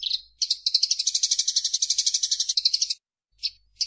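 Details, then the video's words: Eurasian tree sparrow master song for training caged birds: a rapid buzzy trill of about eight pulses a second runs for over two seconds, then after a pause short chirps start again. "SUARA BURUNG - Masteran Terbaik Gereja"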